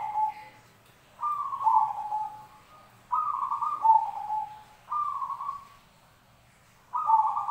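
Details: Zebra dove, from a mix of recordings, giving trilled, rolling coos. Each phrase starts higher and steps down to a lower purring note, repeated roughly every two seconds against a quiet background.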